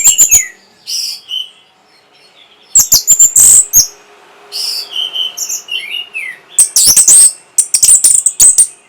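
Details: Song of an orange-headed thrush used to arouse breeding drive and draw replies: scattered high whistles and falling slurs broken by loud sharp clicking notes, with a burst of dense high chatter near the end.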